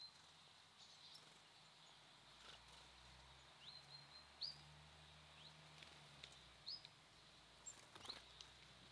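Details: Birds at a feeder give three brief, high, upward-sweeping chirps spaced a couple of seconds apart, against steady background hiss, a low hum and scattered tapping clicks.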